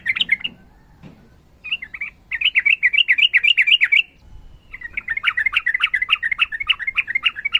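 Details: Sooty-headed bulbul, female calling male in fighting mood: very rapid trilling chatter of bright notes, about four per second, in long bursts separated by short pauses.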